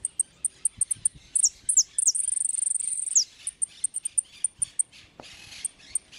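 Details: European goldfinch repique song: brisk high chips, a few falling slurred notes, a sustained very high rattling trill ending in a downward sweep, then more evenly spaced chips; one faint click in the background.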